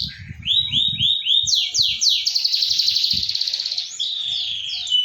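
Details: Lure song for a silent canary: repeated curving whistled notes rising then falling, followed by a fast rattling trill and more swept whistles, with soft low thuds at the start.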